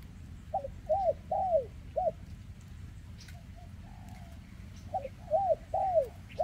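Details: Cooing of a spotted dove with an injured leg, in the 'kèm rước siêu dầy' style, 2024; two four-note coo phrases, each note a brief arched hoot, the third longest, plus a faint low hum beneath.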